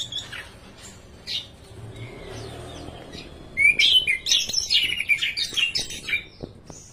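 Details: Caged orange-headed thrush from Indonesia singing: quiet scattered notes give way to a loud run of fast, varied whistled and chattering phrases in the second half, with occasional clicks.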